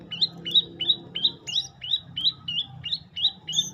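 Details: Olive-backed tailorbird singing: a fast series of sharp, high chirped notes, each with a quick upward flick then a level tone, repeated about three times a second, with faint low background hum.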